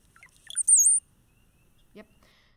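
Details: Brown-headed cowbird (Molothrus ater), a blackbird songbird and nest parasite, sings a few liquid, bubbling gurgles like water droplets running into one thin, piercing high whistle; a brief low voice follows.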